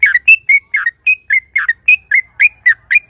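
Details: Series of about twelve sharp, slurred whistled notes, roughly four per second, from a yellow-vented bulbul singing loudly as a lure to provoke other bulbuls.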